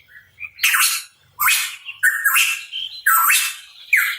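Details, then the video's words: Hooded pitohui (cucak rawa papua) in vigorous song: loud phrases repeated about every second, each a rough, noisy burst with a whistled upslur inside, and soft clear notes between them. "Cucak Rawa Papua Gacor | Pitohui Bird Chirping"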